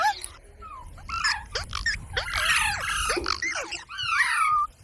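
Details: Pet parrot imitating human speech in a near-continuous stream of chattering, voice-like syllables with rising and falling inflections, ending in a drawn-out wavering whistle. A low background rumble runs throughout.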